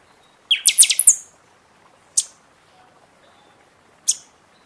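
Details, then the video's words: Buffy-fronted seedeater singing in season, used to stir up other birds after their feather moult: a rapid burst of five or six sharp, high metallic notes, then two lone piercing chips spaced about two seconds apart. "Pixoxó cantando muito na temporada"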